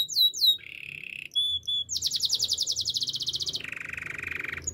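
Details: Canary training song with a few sharp downslurred chirps, two buzzy held tones and short whistles, then a fast rolling trill that drops into a lower, rattling buzz.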